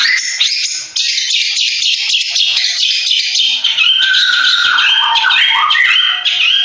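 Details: Madura long-tailed shrike kept for song contests gives an unbroken, loud, scratchy outpouring of rapid high notes, with clear whistled phrases dipping and rising near the end.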